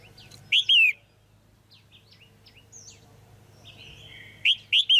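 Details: Female red-whiskered bulbul calling to stimulate a male or to pair; loud twin chirps open and close the stretch, with soft, varied twittering notes from other birds in between.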